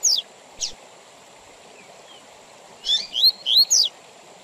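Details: Double-collared seedeater performing tui tui zel zel song with pauses, for teaching young birds and tournaments: two isolated high notes, a long quiet stretch, then a brisk phrase of rising whistled slurs.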